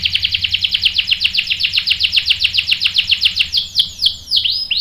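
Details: Canary singing, used to provoke other canaries into answering with a sharp roll: a rapid, steady run of high chirped notes, roughly four per second, turning into slower sweeping downward notes near the end.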